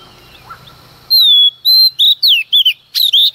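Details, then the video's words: Female Oriental magpie-robin, early morning, singing to provoke males. After a second of faint low background noise, a loud phrase begins: a long falling whistle, a second whistle, then fast, sharp upslurred and downslurred notes. "Choè than mái hót kích trống hót căng sáng sớm"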